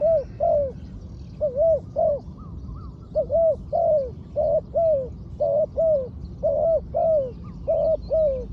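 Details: Trained spotted dove used as a ground decoy, giving hoarse, arched cooing notes in irregular bursts of two or three, with pauses between groups, over a steady low rumble of background noise.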